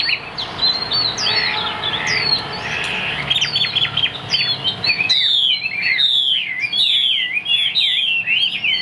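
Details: Kept hwamei in Vietnam, fig-leaf tail, singing high and strong. A muffled, noisy start gives way to loud, clear looping whistles, each a rolling rise-and-fall phrase repeated about twice a second.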